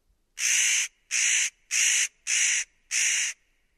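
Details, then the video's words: Five loud, grating, rasping calls from a spotted nutcracker, evenly spaced about every three-quarters of a second, each harsh burst lasting roughly half a second, with no other sounds. "Кедровка. Ореховка. Голоса птиц"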